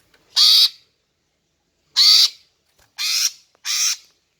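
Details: Greater green leafbird female calling to attract males: four harsh, broadband squawks, the first two well separated, the last two closer together and slightly softer.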